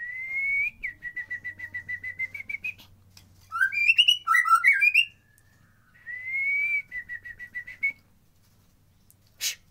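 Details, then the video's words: White-rumped shama lure for lazy singers: a rising whistle into a string of evenly spaced repeated notes, a short loud warbled phrase, then another rising whistle and repeated notes. "Pancingan Murai Malas Bunyi Agar Birahi"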